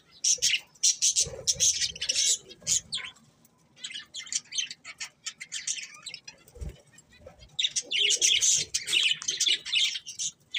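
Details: Budgerigars chirp in fast, repeated high twitters and squeaky warbles, with loud bursts at the start and end and a quieter stretch between.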